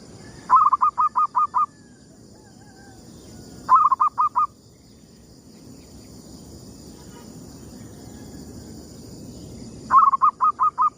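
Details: Local zebra dove of the gedong mengo type cooing at sunrise, used as a lure call: three bursts of rapid, mellow, rolling coo notes, five to six quick notes each, separated by several seconds of quiet with a faint steady background hiss.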